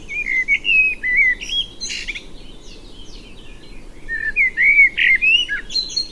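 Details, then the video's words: Male common blackbird singing, a song given only by males to attract females or defend territory, common in urban parks and gardens: rich, fluting warbled phrases with scratchy high twitters between, loud and clear over faint background. "o primeiro vamos ouvir é um macho de um melro-preto a cantar vamos"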